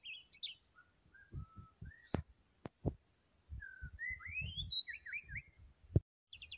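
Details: White-rumped shama singing varied whistles: low steady notes, then rising slurred phrases climbing high, ending in quick chips, with knocks and clicks in between.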